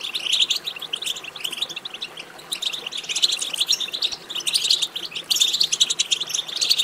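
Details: Lively European goldfinch song from a stimulation recording for goldfinches: continuous tinkling, twittering notes that rise and fall in intensity, with the loudest bright bursts at the start and end.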